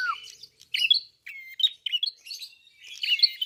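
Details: Red-fronted prinia, called klawu locally, singing energetically: a short falling whistle, then a quick run of chirps and twitters, closing in dense chatter.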